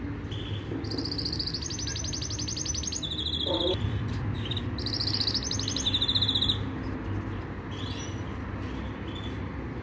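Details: Yorkshire canary training song arrives in two bursts, each a dense buzzing trill followed by a sharper rattle, separated by a quiet gap. Steady low noise and a brief lower-pitched sound in the middle run underneath.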